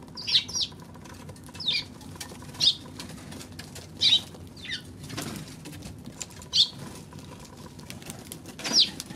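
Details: Eurasian tree sparrow recorded on 16 March: short, bright chirps given singly or in quick pairs at irregular intervals of one to two seconds, about seven notes in all, over a steady low background hum.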